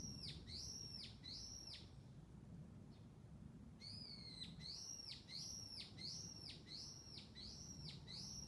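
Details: Bird twittering: thin, high whistled notes, each sliding sharply downward, repeated in quick runs with a short pause midway, over a steady low background hiss.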